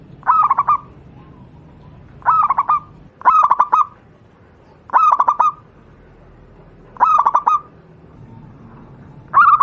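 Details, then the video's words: Wild local zebra dove (perkutut jawa) repeating its song as a tutor for other doves: six clipped phrases of rapid fluttering coos, each roughly one to two seconds apart. "burung Perkutut lokal alam, suara untuk masteran perkutut anda"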